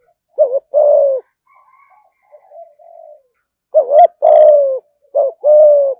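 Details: Urging "thúc gù" coos from a fine-voiced spotted dove said to bring rivals quickly to fight: a wavering note and a long downslurred coo, repeated three times, with quiet murmurs in a pause.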